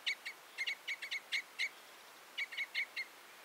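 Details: Red crossbill uttering loud, hard 'jip' notes in quick bursts of two or three. The notes are spaced about a quarter second apart, with a short pause before a further cluster of four, against a faint steady hiss.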